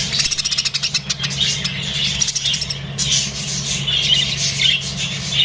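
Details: Rainbow-coloured budgerigars chatter with rapid, scratchy chirps and squawks over a steady low hum.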